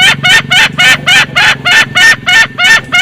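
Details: Green junglefowl, male and female, in a loud lure recording: a fast, steady run of short harsh cackling notes, about ten in three seconds, each with a bright ringing upper edge.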